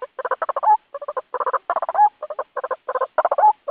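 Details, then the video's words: White-breasted waterhen lure call for trapping birds: rapid bursts of harsh, croaking notes in quick groups, each ending in a short rising whistle, repeated about every second. "Suara Pikat Burung Ruak Ruak"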